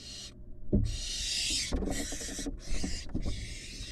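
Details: Barn owl nestling, excited while being fed: harsh hissing screeches in long broadband bursts, broken by short gaps, with rubbing and knocking noises underneath.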